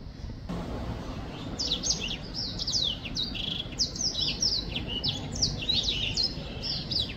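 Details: Black-throated finch song from 2023: after a quiet first second and a half, rapid high chirps begin and repeat in quick downward-sweeping notes until the end, over a constant low hum.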